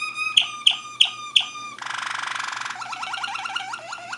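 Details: Waterslager (Malinois) canary in Bucharest, Romania, 2015: four sharp ringing notes with bright overtones, then a dense buzzy roll, followed by rapid bubbling, water-like downward notes repeated in quick succession.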